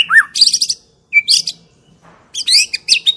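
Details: White-rumped shama song used as a lure to prompt silent shamas to sing: bursts of varied chirps, sweeping whistles and buzzy notes in three phrases separated by short pauses.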